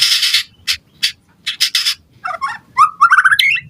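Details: White-rumped shama song for provoking other birds: harsh rasping notes, then a quick sequence of rising whistled notes with a faint low background hum.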